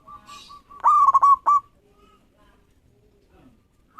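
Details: Local zebra dove in full song, meant to draw rival birds into singing. Quiet rolling coos lead into one loud stuttering phrase of a rising note and quick clipped coos, then near silence with faint distant notes.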